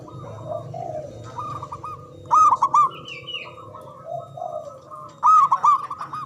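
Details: Javanese local zebra dove, loud and long-breathed, used as a lure for silent doves. Ringing, rapid staccato coo phrases sound about every three seconds, with softer background coos, a brief high whistle and a low hum.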